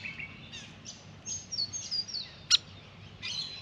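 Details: Grey fantail, a restless, vocal visitor to a backyard birdbath, bathing at length and fluffing up; thin, high squeaky notes and short rising and falling whistles, with one sharp click midway and faint background hiss.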